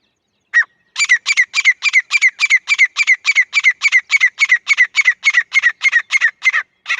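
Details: One sharp note opens a fast, very regular run of over twenty harsh, clipped calls from a female grey francolin, about three per second, steady in loudness throughout.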